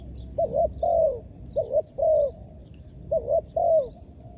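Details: Decoy spotted dove calling from the ground to attract wild doves, giving three clear evenly spaced phrases of a doubled short coo followed by a longer downslurred coo, in a quiet setting.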